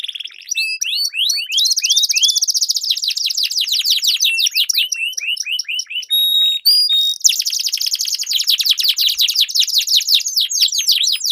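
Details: Canary singing to train competition birds, dense rolling trills of downslurred notes with a short burst of steady high whistles midway, then a fast buzzy continuous roll.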